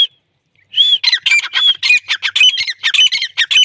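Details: Female Deccani grey francolin in a rapid series of loud, harsh, squawking notes. It opens with one drawn-out whistled note, then gives a fast, uneven run of repeated notes that keeps going to the end.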